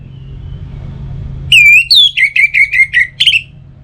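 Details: Whistled phrase of an orange-headed thrush, used as a morning and evening lure for singing birds: a long opening whistle followed by roughly six fast repeated notes and a final brighter note, faint low hum.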